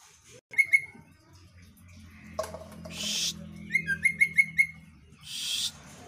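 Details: ['Female White-rumped shama giving short sharp whistled notes. One pair comes early, then a quick series of four or five clipped whistles, with two loud hissing noise bursts between them.']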